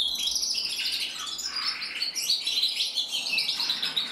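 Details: Singing cock canary, red mosaic isabel colour, bred in captivity, 2024: dense high-pitched warbling of fast rolling trills and short whistled notes delivered without pause.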